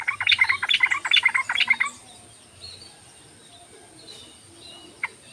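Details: Yellow-vented bulbul used as a lure to stir quiet bulbuls into singing; a rapid bubbly burst of chattering notes lasts about two seconds, then near silence with a faint steady high hiss.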